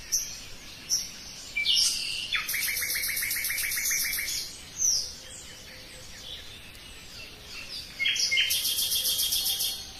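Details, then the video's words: Common nightingale in full song: loud rattling buzzy trills of rapidly repeated notes, broken by short whistled and sliding notes, with the trill returning near the end. "Пение соловья"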